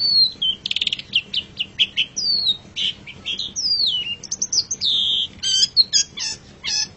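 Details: Long-tailed shrike (pentet or cendet) in song-training material: a busy medley of chirps, a short rattle, long downslurred whistles, one sustained high whistle, then clipped chips with ringing overtones.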